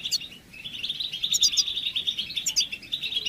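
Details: European goldfinch twittering intended to stimulate males and end their silence during moult; a loud, unbroken chatter of rapid liquid notes, topped by repeated pairs of thin, very high squeaks.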